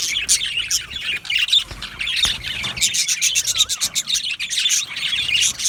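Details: Budgerigar colony of yellow males in an aviary: overlapping high chirps and squawks from many birds, with a brief descending whistled note standing out midway and a couple of low thumps.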